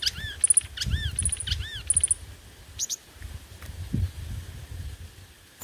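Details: Five-coloured sunbird used as a lure bird, singing competitively: short bursts of high, arched, rapidly repeated chirping notes in three groups, over a low background rumble.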